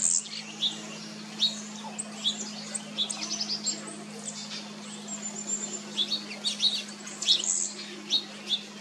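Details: Summer painted buntings on Jekyll Island, Georgia, USA, June 2022; high thin chips and short twittery notes at irregular intervals, roughly seventy a minute, over a constant low droning hum.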